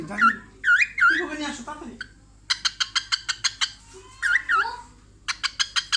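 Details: Female cockatiel kept as a pet, amused by her own reflection in a mirror: swooping whistled notes, then a rapid stuttering series of about ten short pulses like laughter, more whistles and another pulsed burst; quiet human speech in between.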